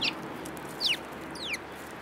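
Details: Several sparrows in March 2018; three short chirps sliding downward from high to mid pitch, spaced about half a second apart, over a steady faint background hiss.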